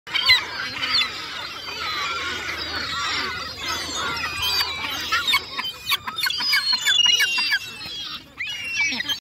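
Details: Gulls on the ice at Hovindammen, calling as a flock. Overlapping harsh, squealing and mewing cries come continuously from many birds, with sharp clicks and knocks in the second half.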